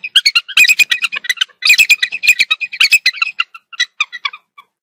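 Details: Female bald eagle calling at her nest in Dade County, South Florida, on a January 1 morning while in an amorous mood. She gives loud, shrill, squeaky chirps and piping notes in rapid chattering bursts, slowing and fading toward the end.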